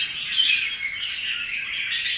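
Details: A newly wild-caught Red-whiskered Bulbul, just brought home and in good voice, sings a run of bright, high chirping and warbled notes, with a few short clear whistles near the start, over a steady hiss.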